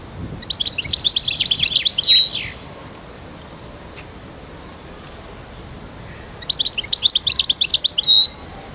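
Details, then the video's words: European goldfinch song, khalwi style from Constantine, Algeria, recorded 2012: two bright, rapid twittering phrases a few seconds apart, each a tumbling run of high chirps ending in a drawn-out buzzy note, with quiet pauses between. "Chant De Chardonneret khalwi 2012 غناء الحسون القسنطيني"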